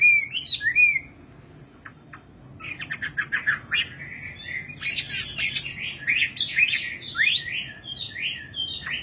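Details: Nightingale in song: a short whistled phrase, a quiet gap with scattered ticks, then a buzzy trill leading into repeated sharp, down-slurred chirps delivered rapidly.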